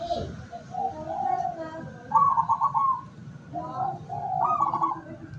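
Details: Local decoy zebra dove used to lure wild doves, 17 August 2023. Gentle coos precede a bright, fast-pulsed trill, followed by more soft coos and a second shorter trilled phrase.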